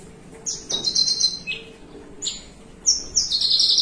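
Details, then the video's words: Caged Javan bushlark, known locally as branjangan, perched calmly and delivering long song phrases: very high, rapid buzzy trills in three bursts, separated by short pauses and joined by thin whistled notes, over a faint steady hum. "BRANJANGAN MELUNG PANJANG"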